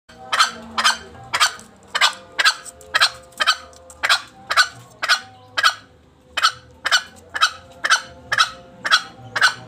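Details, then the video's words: Green junglefowl giving harsh clucking "cekok" notes, about two each second in a steady run, over a faint steady hum. "suara ayam hutan cekok cekok"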